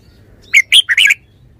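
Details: Red-whiskered bulbul delivering a fast, jaunty phrase of four linked notes, bright whistled chirps running into a bubbling warble, with a quiet background.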